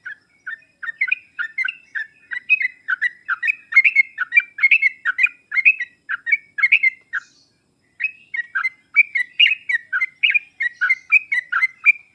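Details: Sooty-headed bulbul singing in a lure and master recording meant to prompt reluctant bulbuls to answer: long run of quick, bubbly, chirping notes in rapid succession, a brief pause near seven seconds, then the chatter resumes.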